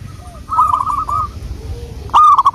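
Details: Local wild zebra dove giving lure song: a short run of mid-pitched, rolling, trilled coos, ending in a louder coo that follows a sharp click, against low background rumble.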